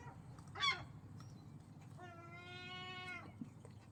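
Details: Gull giving a loud, strange call: a short sharp note, then a long, steady, nasal, harmonic cry held for about a second over low background rumble.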